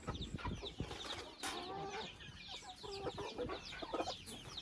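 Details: Chickens in a family house: drawn-out, wavering clucks and short calls stand out against many high, sliding peeps, with a brief bump partway through.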